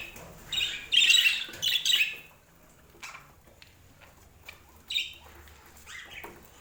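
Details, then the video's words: Pet budgerigars, from a sleep-aid recording, give two quick bursts of raspy warbling chatter early on, then near silence broken by a few soft chirps and one more short squawky phrase. "O Som dos Periquitos Que Faz Você Dormir Melhor"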